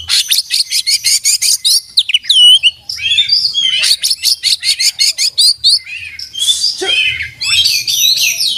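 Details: Vigorous oriental magpie-robin song full of mimicked fill-ins. Quick repeated sharp notes give way to looping whistled slurs, then more chattering bursts and a dense high trill at the close.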